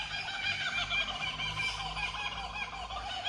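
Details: Kookaburras calling from just above a tree outdoors, one after another, in a full laughing chorus: loud, rapid, cackling hoots tumbling over one another without a break, harsh and chuckling in tone.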